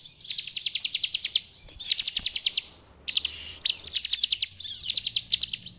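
A bar-winged prinia sings fast, high, buzzy trills, bursts of sharp repeated notes about eight to ten per second, with short pauses between phrases.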